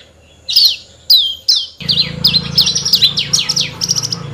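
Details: Horsfield's bush lark singing energetically: three loud, spaced, downslurred whistles, then a quickening string of high, falling chirps over a low background hum.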